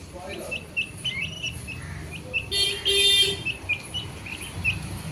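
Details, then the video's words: Baby chicks peep in short, high, evenly spaced chirps, about four a second. A vehicle horn honks loudly for a moment midway, with traffic rumble throughout. "Baby Chicks chirping sound | Chicken Sound"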